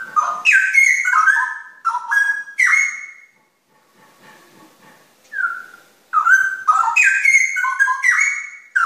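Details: Straw-headed bulbul, known locally as cucak rawa, pouring out rich, bubbling whistled phrases with rising and falling slurs, a brief lull with one short whistle, then a fresh burst of loud, liquid notes.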